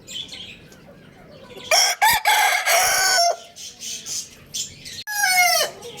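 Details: Crowing Lohmann Brown rooster at Lalukhet bird market: a broken, stuttering crow of about a second and a half, then a second crow starting a few seconds later and sliding downward, with twittering small birds behind.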